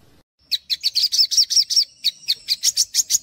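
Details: Olive-backed sunbird (Cinnyris jugularis) gives a rapid, high, sharp twittering song of about sixteen quick chirps, with one brief pause partway through. It is used as a master or lure song for untrained sunbirds.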